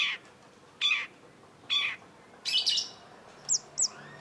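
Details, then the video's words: Long-tailed shrike (cendet) uttering harsh, raspy broadband notes roughly once a second, then two brief sharp high twisting notes close together near the end. "cendet gacor MASTERAN CENDET BANYAK DICARI PECINTA BURUNG || Long-tailed Shrike"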